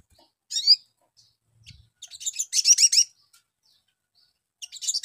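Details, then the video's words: Ruby-cheeked sunbird song used to make young birds answer quickly: a single sharp high chirp, then a dense burst of fast twittering, with a brief low thud in between. "PANCINGAN SOGON BAHAN CEPAT NYAUT"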